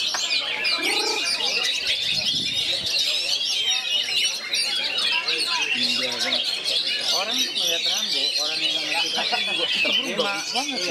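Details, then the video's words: Caged oriental magpie-robin sings beside three other magpie-robins in an energetic performance style. Sustained torrent of overlapping whistled phrases, trills and harsh chatter for the whole stretch, with faint lower sounds mixed in. "3 KACER DI SEKELILINGY BAGONG,KERAYU GAYA CARA MAIN NYA RAMBO"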